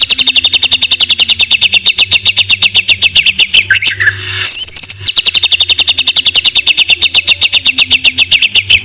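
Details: White-rumped shama (murai batu) singing a masteran tutor song: a steady, fast trill of high repeated notes, about two and a half a second, broken midway by a brief rising whistle, then the trill resumes.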